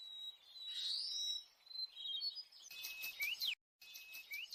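Sulawesi myzomela giving thin, high whistled notes and quick rising chirps, with a brief sharp break and a faint hiss in the background.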